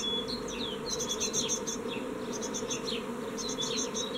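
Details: Great tit fledglings at a nest box, 14 May 2017, one young bird leaving; sharp high chips and buzzy rapid note clusters come in bursts, with a constant low hum underneath.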